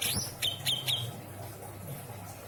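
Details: Caged greater green leafbird at a home in Indramayu, Indonesia, giving isian song: four sharp, high chipping notes in quick succession within the first second, then near silence over a low background hum.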